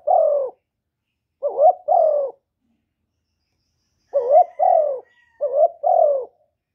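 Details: Cooing spotted dove, played as a stimulus for males and recorded without background noise. It gives soft hollow coos in pairs, each a quick upward-bending note followed by a drawn-out falling one, with a pause of about two seconds mid-sequence.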